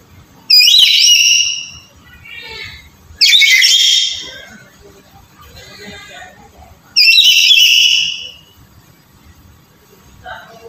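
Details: Black-capped lory calling as a lure for a quiet bird: three loud, harsh, squawky calls a few seconds apart, each scratchy and rising, with softer chattering notes between them.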